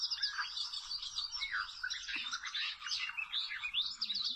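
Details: Oriental magpie-robin, wild bird at a rope trapping site, sings a busy unbroken medley of bright whistles, chirps and buzzy slurs that rise and fall rapidly, with a faint low thud partway through.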